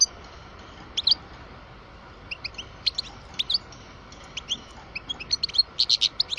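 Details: Kept twelve-year-old parva European goldfinch singing sparse high tinkling notes that gather into a faster, denser twittering run toward the end, over a low steady hum.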